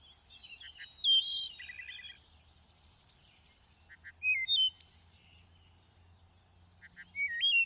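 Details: Thrush song in lush greenery: a loud cluster of fluty and trilled notes, a long pause, stepped whistles with a high buzzy burst, then another pause and a final rising whistle, over a low hum.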